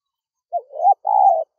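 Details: Spotted dove call used to lure wild doves: a short cooing phrase of a low wavering note, then a brief pause and a longer, steady, slightly buzzy coo, with a clean, quiet background.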